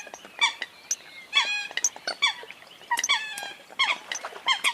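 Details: Eurasian coot: a dense chatter of short, nasal, harmonic notes, many bending downward, given in quick overlapping bursts as though from several birds at once.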